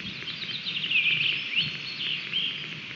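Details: Osprey at a nest in Latvia on 30 June 2020, the male arriving with a stick: high, thin chirps and short whistled notes scattered through the clip, over steady wind-like background noise.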